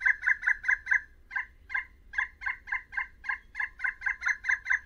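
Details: Pileated woodpecker (Dryocopus pileatus), a backyard bird present through winter, calling: loud, hollow, wavering notes, a quick run of five, a short pause, then a longer series at about two notes a second.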